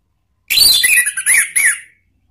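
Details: Orange-headed thrush (Anis Merah) singing a lure phrase in the ngeriwik style for cage birds: a busy, twittering run of chirps, then bright, arched whistled notes.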